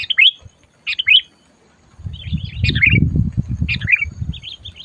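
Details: Sooty-headed bulbul, loud and fierce while brought for trapping, repeats short bubbly downslurred phrases about once a second, with soft warbles, as low rumbling handling noise rises in the second half.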